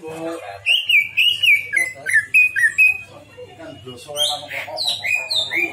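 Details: Greater green leafbird delivering a lively run of loud whistled phrases, each slurring down then up, followed by higher sharp chirps and trills, with a faint low hum underneath.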